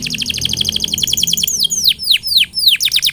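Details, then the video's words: Energetic canary song for luring other canaries to sing: a rapid rattling trill of tiny repeated notes gives way to loud, slower downslurred chirps repeated roughly every third of a second. "Burung kenari gacor,,, paling jitu untuk pancingan kenari supaya bunyi dan cepat gacor"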